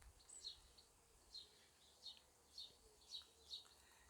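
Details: Sparrows chirp faintly in a flowering garden in the first week of June: short, high, clipped notes given singly about every half second, over a soft background hiss of garden noise.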